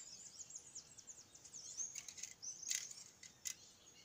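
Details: Bullfinch recorded at Icacos, Trinidad: a fast, high, thin chattering warble for about two seconds, followed by scattered sharp clicks and taps.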